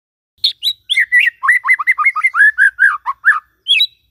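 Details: White-rumped shama morning song, aimed at prompting a silent shama to sing: a dense quick sequence of looping whistled notes and short chips, lively and varied, with no background noise.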